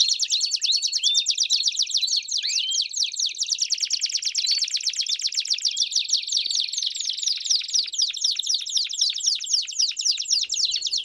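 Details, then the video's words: Several Belgian canaries singing together, meant to stimulate a canary to sing: dense overlapping high trills and rapid chirps, with fast descending sweeps and warbled phrases running continuously throughout. "Vários Canários Cantando Junto Estimule seu Canário Belga a Cantar Muito!!!"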